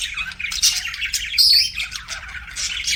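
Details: Pet budgies chirp and warble, a harsh chattering stream with a clear high whistle near the middle.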